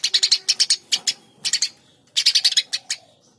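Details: Eurasian tree sparrow chirping in clustered series: a fast run of high, clear notes, shorter groups of two or three, then another rapid burst, with little background noise.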